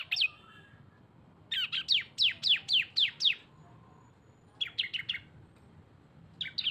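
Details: Cisem lure mixing two birds: a fast, even run of about seven sharp down-sweeping notes, a shorter burst of four later, and a few single chirps, against a faint noisy background.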